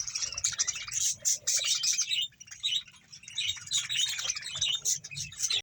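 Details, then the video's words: About 100 pairs of budgerigars in a Bahawalpur colony, bursts of sharp chirps, squeaks and warbled chatter from many birds, coming in waves with short quieter gaps, faint low hum beneath. "100 pear budges parrot colony# bahawalpur budges sound"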